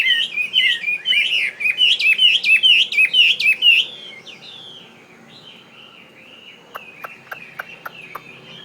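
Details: Caged fighting Chinese hwamei sourced from northwestern Vietnam and kept in Saigon sings rapid, loud, repeated warbled notes for four seconds, then softer drawn-out whistles and a series of dry clicks.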